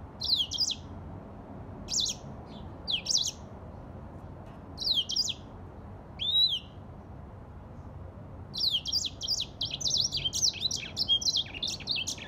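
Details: Grey singing finch, an African species, singing high twittering phrases spaced roughly a second apart, with one slurred whistle, then breaking into a continuous fast warble of zigzag notes for the final few seconds.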